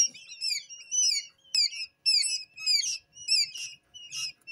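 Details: Newly hatched quail chicks, a few hours old and still wet, inside a brooder after leaving the incubator. Dense high-pitched peeps, bent and slurred whistles in quick overlapping bursts, with brief clicks and a sharp tap.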